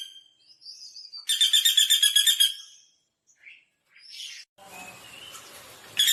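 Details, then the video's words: Common flameback calling in one brief, rapid, high-pitched rattling trill lasting about a second, set among scattered faint chirps and a patch of soft background noise near the end. "SUARA MASTERAN BURUNG PELATUK BAWANG"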